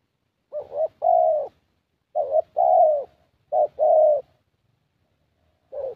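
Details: Young thổ Spotted Dove cooing at a decoy session in Gia Lai; three clear two-part coos, a short stuttered note then a longer hollow coo, followed by a quiet pause and a final short note.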